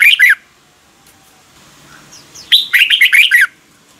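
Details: Morning song of a red-whiskered bulbul used as a training recording: a short warbled phrase opens, then after a quiet gap a longer burst of bright, choppy whistled notes tumbling up and down.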